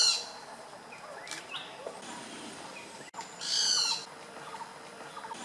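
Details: Great barbet (Psilopogon virens) at Phanoen Thung camp in Kaeng Krachan National Park, Phetchaburi, Thailand, 6 April 2014. A loud nasal, strongly harmonic note of about a second rings out midway, with a weaker note at the start and scattered soft calls.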